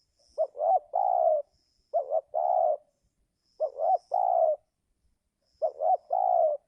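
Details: Spotted dove cooing in the 'giring' season as wild birds are lured. Four rhythmic phrases each give two brief rising notes and then a sustained mellow coo, spaced about two seconds apart. Faint high twittering runs behind.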